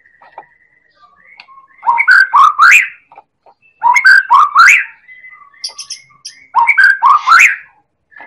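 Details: Lure recording of a Medan white-rumped shama, a champion-class singer, meant to set other birds singing. Loud rich whistled phrases of rapid varied notes with sharp upward sweeps come in three strong bursts, with softer single whistles between them.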